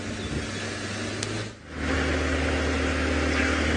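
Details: A vehicle engine hums steadily during an early morning safari drive, dipping briefly midway before rising again, with no animal sound audible.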